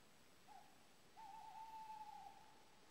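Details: Male tawny owl near Tetov defending its territory: a short hoot followed after a pause by a long, wavering, tremulous hoot held for about a second, in quiet surroundings.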